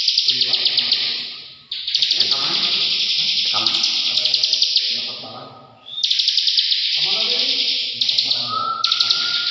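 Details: Ciblek, the bar-winged prinia, delivering ngebren song: long unbroken buzzing high-pitched streams pulsed with fast clicks, cut by two brief gaps, with some low murmuring noise underneath.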